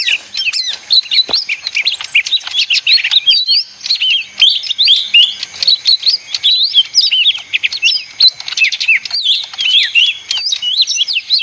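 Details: Small leafbird ('ijo mini' or daun) singing a noisy, energetic song: a continuous stream of quick twisting whistles, chirps and mimic-like notes, high and densely packed, with barely a pause.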